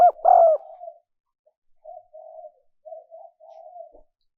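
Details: Spotted dove cooing, a recording used to lure wild doves: one loud, clipped two-part coo, then softer, drawn-out low notes trailing off with short pauses.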